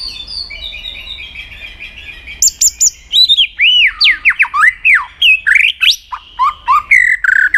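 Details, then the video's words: White-rumped shama singing as training for contests, opening with soft warbling, then sharp high clicks and a loud sequence of sweeping, looping whistles and rapid slurred phrases. "luyện giọng chòe lửa hót kích chòe lửa nhanh căng lửa"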